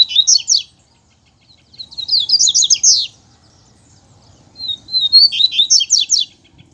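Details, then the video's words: Caged double-collared seedeater in the bush, disputing with a loose male: three loud, fast, high warbled phrases of rising and falling slurred notes, separated by brief silences. "Cantando e Disputando Com o Coleiro Solto!!!"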